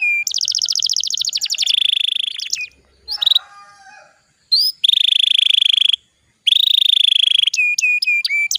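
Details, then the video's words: Canary song in Indonesia, used as a lure so other canaries sing quickly. Long rapid pulsed trills and steady rolls are broken by short gaps and a scratchy passage. Clear dropping whistles close the phrase. "PANCINGAN KENARI BAHAN AGAR CEPAT BUNYI"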